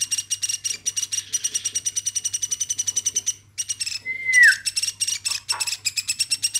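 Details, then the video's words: Hand-raised woodpecker, kept since it was a chick, calling nonstop; a fast steady train of sharp, high, metallic pulses, briefly broken by a short falling whistle before the pulsing resumes. "LUAR BIASA AMOY BURUNG PLATUK GACORNYA SAMPAI 5 MENIT"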